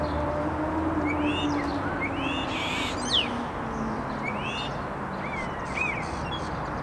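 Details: Common starlings, described as a musical trio, singing with arched whistled notes, some rising and some falling, given in irregular bursts, over steady low background noise.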